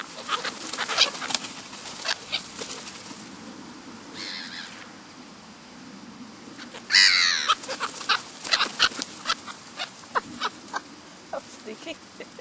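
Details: Black-headed gulls in the New Forest, Hampshire, England, July 2009: frequent short ticking squawks throughout, a rasping call near four seconds and a loud, grating screech around seven seconds, followed by more clipped calls.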